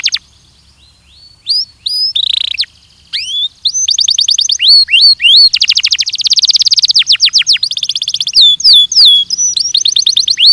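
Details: Training recording of a Belgian canary: scattered rising whistles and a buzzy burst give way to long, fast rolling trills, sweeping notes and crisp repeated chips, sung loud and without break.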